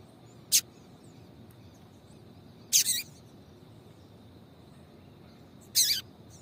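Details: A female papa-capim gives short, bright calls meant to excite males into singing: one tiny chip, then a sharp note with a quick echo-like double, then a longer harsh chip, spaced irregularly.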